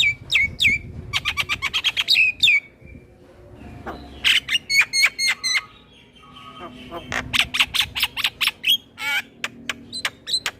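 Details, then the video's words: Varied song of a male Javan myna, meant for teaching other mynas to sing: fast runs of harsh, buzzy notes mixed with clear whistles and upslurred squeaks, delivered in dense bursts separated by brief gaps. "Kicauan Jalak kebo Jantan Full Isian Pas Untuk Masteran Semua Jenis Burung jalak"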